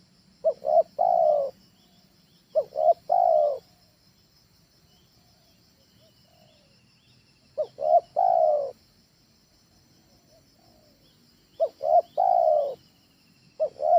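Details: Low cooing of a trained spotted dove for luring birds at home, phrases of two short notes and a long falling coo, given in pairs with long silent gaps, faint high hum throughout.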